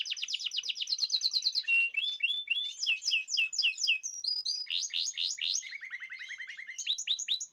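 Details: Several caged birds fed a natural, varied diet sing in chorus on 14 March 2026: rapid high trills, sweeping whistled notes and a lower, steady rattling trill run almost continuously.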